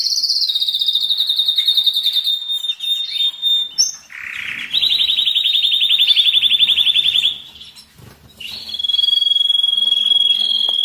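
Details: Canary song meant to stimulate males and females for breeding: long high rolling trills, a brief rough burst, a lower rapid warble, then a pure steady whistle to finish.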